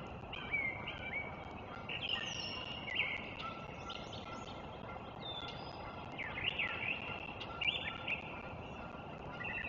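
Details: Bald eagles at their nest on 03.04.2024: bursts of high, squealing chirps and short descending chatter notes, rising in intensity around two and six to eight seconds, over a steady background hum with faint thin whistles above.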